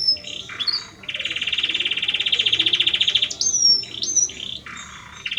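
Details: Belgian canary male singing for his mate delivers a long steady buzzing roll flanked by short whistled slurs and rising notes.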